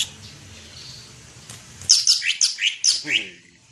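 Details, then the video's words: Greater green leafbird (cucak ijo) described as a national champion songbird: after a second of quiet room noise, a quick burst of high, clear whistled notes, some sliding downward, repeated about six times. "cucak ijo juara nasional"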